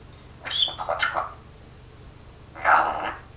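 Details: A pet parrot mimics speech and its owner's coughing: a short burst of raspy, speech-like and cough-like sounds, then a second harsh cough-like burst after a pause.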